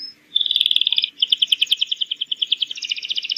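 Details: Atlantic canary lure song, used to train young canaries to sing and answer quickly: fast, steady trills of bright, high, repeated notes, about three per second, with a brief pause, then a longer rolling trill.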